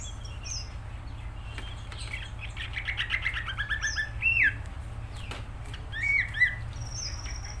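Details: Cucak ijo, the greater green leafbird, singing gacor but more quietly. Thin high notes and a buzzy chattering passage lead to a loud downward-sweeping whistle, with scattered whistles after it and steady low background noise.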